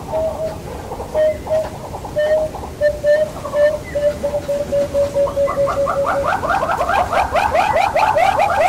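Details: Southern yellow-billed hornbill (Tockus leucomelas) in Kruger National Park: hollow, mid-pitched clucks that begin spaced, then speed up into a rapid run of rising, chuckling notes. Faint background hiss.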